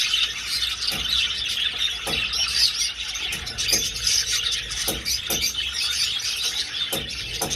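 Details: Budgerigars flying in an old aviary keep up a busy, high-pitched chatter of chirps and squeaks, with sharp clicks or knocks every second or so.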